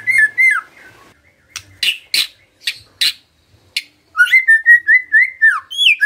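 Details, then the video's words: White-rumped shama (murai batu) in lively gacor song, used as a lure to prompt other shamas to sing: clear whistled notes near mid pitch, then a rapid run of slurred, repeated whistles after a burst of harsh, scratchy notes. "HARUSNYA PANCINGAN ITU BEGINI AGAR MURAI GAMPANG BUNYI✅✅ MURAI BATU GACOR"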